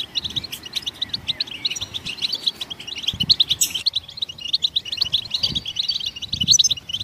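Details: Goldfinch song used to stimulate other songbirds: a long, lively chatter of clipped tinkling notes, fairly even in pace, with one sharp high rasp midway and low thumps underneath.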